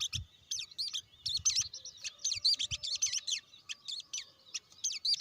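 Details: Short, lively burst from a blue-winged leafbird: crisp high whistled notes, some rising and some falling, delivered in quick separated groups. Soft low knocks can be heard in the background.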